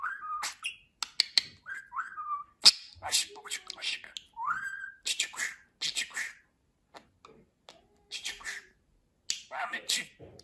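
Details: Pet talking budgerigar indoors, chattering in quick raspy bursts mixed with short whistled glides that rise and fall, loud sharp clicks between phrases, brief pauses of silence.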